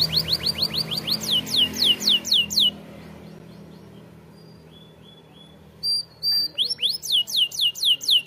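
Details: Canary singing like a champion, meant to train young canaries: fast rolls of upswept whistled notes, then a quiet pause with a few faint notes, then the rapid sweeping rolls return.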